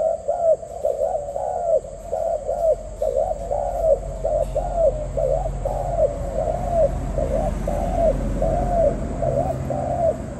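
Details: Continuous dove cooing, a long chain of low soft arched notes at a fairly even pace, over a rumbling low background noise.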